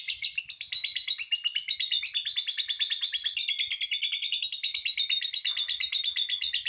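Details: Lovebird giving a long ngekek trill, used to prompt other lovebirds to sing: a fast, unbroken chatter of harsh, buzzy notes, about three per second, wavering in pitch throughout.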